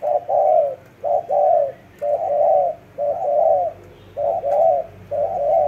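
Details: Loud, close spotted dove cooing: full, hollow low notes in pairs, a short coo followed by a longer wavering one, repeated steadily with short gaps.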